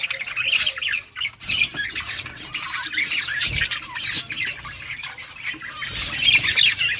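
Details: Budgerigars in a flock, busy high-pitched chatter of rasping squawks and quick chirps from many birds, with a short dip in volume near the start.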